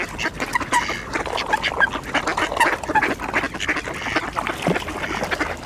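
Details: Mallard ducks crowding an ice hole for scattered bird seed, quacking for position beside coots; loud, rough quacks in uneven bursts roughly every half second, over a background of splashing and jostling birds.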